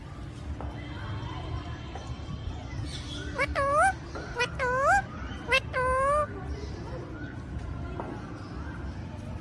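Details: Rose-ringed parakeet uttering three loud calls about a second apart, each dipping then sweeping upward. Low background rumble and faint voices can be heard throughout.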